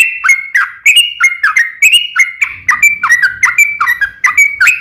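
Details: Long rapid-fire trucukan song played as a lure for other bulbuls: tumbling series of quick whistled notes alternating high and low, closely spaced, with light low background rumble midway.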